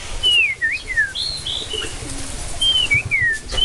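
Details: White-crested laughingthrush singing. Clear whistled slurs fall in pitch and are repeated after a short pause, over steady background hiss.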